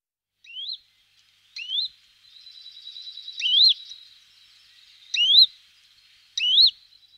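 Western Bonelli's warbler giving loud, rising whistled notes about every second and a half, with a soft, dry, even trill running between them.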